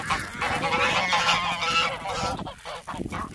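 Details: A flock of Emden geese guarding their farmyard in winter, attacking and honking in a continuous harsh chorus that fades briefly near the end.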